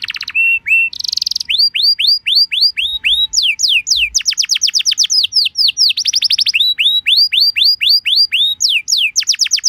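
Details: Canary song played to make other canaries respond: short whistles and a buzzy burst open into long runs of loud falling whistled sweeps, interrupted by rapid trills, repeated about four times per second throughout.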